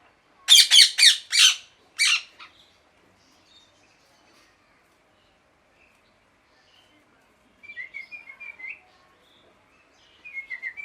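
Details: Parrot letting out a rapid run of loud, grating screeches, then one more, followed by a long quiet gap and finally soft, high chirping twitters near the end.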